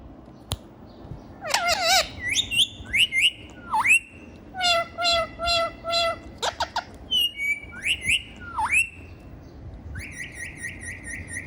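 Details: Indoor pet ringneck parrot, said to sing and talk, chatters in rapid harsh squawks and nasal notes, with rising whistles and swooping dips between them, then a final rapid series of short calls.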